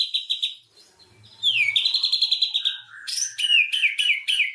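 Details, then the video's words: Lure song of a white-rumped shama meant to trigger singing: after a quiet start, a sliding whistle leads into a high fast trill, then buzzy bursts and looping high whistled notes. "pancingan murai batu macet langsung buka materi"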